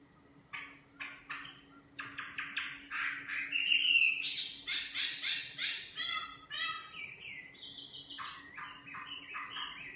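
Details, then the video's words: Nightingale song built from rapid series of repeated sharp notes, a brief pure whistle, a loud pulsing stutter, then a string of quick repeated chirps and whistles. "Singing nightingale. amazing bird song"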